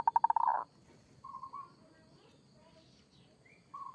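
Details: Zebra dove of a local strain in kerot style: a quick burst of throaty stuttered notes, then soft wavering coos; a few faint bird chirps behind.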